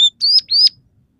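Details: Short burst from a scaly-breasted munia that sings tree sparrow, red siskin and canary phrases: a sharp high note, then two loud drawn-out rising whistles, each about a quarter second long.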